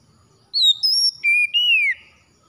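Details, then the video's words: Whistled song of an oriental magpie-robin, recorded in the morning to encourage sluggish birds to sing: two high pure notes followed by two lower sustained whistles, the final one dropping in pitch. "TERAPI PAGI PEMULIH KACER MALAS BUNYI CEPAT GACOR"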